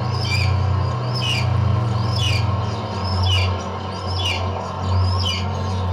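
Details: Red-tailed hawk from a breeding pair that includes a leucistic female gives short, raspy, downslurred calls, six in a row at roughly one per second, over a steady low rumbling hum.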